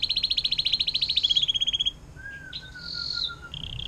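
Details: Canary song with a long "fountain water" style phrase, used as tutor material for magpie-robins and other songbirds: a fast rattling trill of repeated notes for about two seconds, then a low whistle and buzzy higher phrases.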